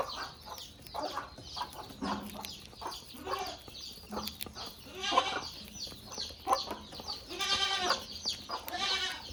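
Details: {'caption': 'Caged budgerigars kept together with a rabbit, chattering in a busy, irregular stream of short nasal notes and harsher buzzy calls, several overlapping, with a few brighter high chirps.'}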